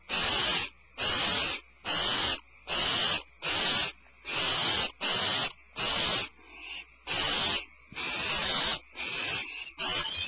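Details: Barn owls at Starr Ranch on February 22, 2012, with the mother returning to the nest carrying a rat. A long, insistent run of about thirteen rasping hiss-screeches, each under a second, with tight, uneven spacing.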